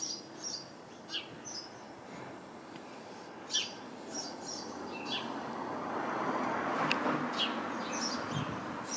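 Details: House sparrows chirping in a bush full of sparrows: short, high chirps scattered irregularly throughout, several overlapping, with steady rushing background noise that swells in the middle and later part.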